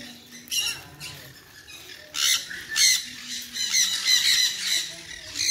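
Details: Sun conure parrot uttering rough, grating squawks that grow louder and more frequent in the second half, bursts clustered close together over faint background noise.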